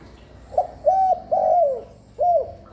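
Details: Spotted dove calling, used to lure and stimulate doves: four low cooing notes, the first short, then three longer level or slightly arching hoots with brief gaps, clear and free of background noise.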